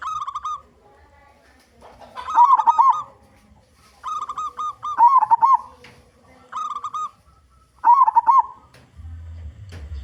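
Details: Vigorous local zebra dove with a big voice, used to attract other zebra doves: repeated phrases mixing flat, clear coo bursts and bubbling, wavy trills, about one phrase every two to three seconds.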